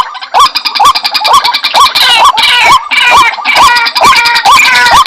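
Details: White-breasted waterhen calls for luring the bird: looping upslurred notes in quick succession, layered with harsher, noisier bursts and rapid ticking clicks.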